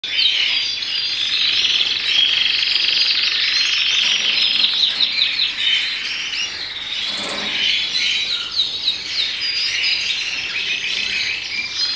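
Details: Agate opal red mosaic canary, a melanin colour canary, sings a continuous, high, rolling warble of fast trills and twittering phrases with hardly a pause, possibly several birds singing together.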